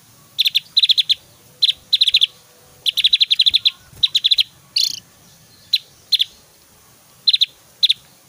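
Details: Javan grey-throated white-eye in lively song with loud 'tembakan' bursts and whistles, suited to tutoring other birds; tight clusters of high sharp notes recur steadily, broken once by a brief harsher buzzy note.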